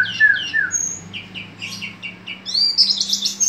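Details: Javan white-eye of the East Java dakun type, singing busily: rapid, high chirps and slurred twitters that climb into a shrill, fast trill toward the end, over a low steady indoor hum.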